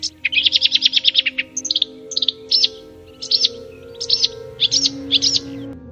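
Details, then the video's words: Marsh warbler in the Swiss countryside singing fast, varied song: a rapid rattling trill, then sharp high phrases mimicking Central European and African birds met on its wintering grounds, each repeated briefly before switching. "Avec l'extrait suivant, vous allez découvrir les talents d'imitation de notre rousserolle verderolle. Entendez-vous ces imitations d'oiseaux d'Europe centrale et d'Afrique?"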